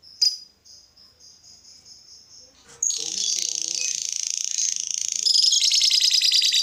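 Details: Lovebird song intended to provoke other lovebirds to sing: a few thin high whistles, then a sustained, rapid, buzzy trilling chatter that grows louder toward the end.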